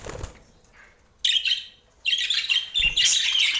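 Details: Budgie kept as a pet in Portland: a soft flutter, a short quiet gap, then loud scratchy bursts of high chirping chatter that run on to the end.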